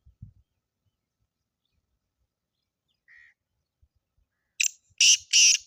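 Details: Black francolin call, recorded for hunting use. After a quiet stretch with a few soft thumps and one brief faint tone, a harsh phrase begins near the end: a short rasp, then two long grating buzzy notes.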